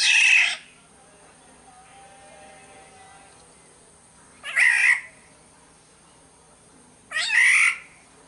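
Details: Black-naped oriole (kepodang) from Sumbawa, in a lure recording: three hoarse, nasal, cat-like calls spaced three to four seconds apart, with a faint thin tone heard in between.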